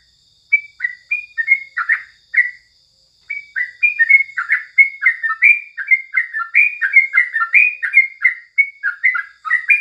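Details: Yellow-vented bulbul morning song: a few bubbly notes, a two-second pause, then a sustained burst of fast, chirpy warbled phrases rising and falling in pitch.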